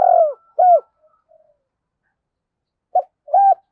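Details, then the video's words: Decoy spotted dove in double-voice calling song with two endings. A falling coo and an arched hoot open the clip, then a long silence before a short clipped note and a flatter coo. "Chim Cu Mồi - gáy gọi hai hậu hay còn gọi là giọng đôi rất hay"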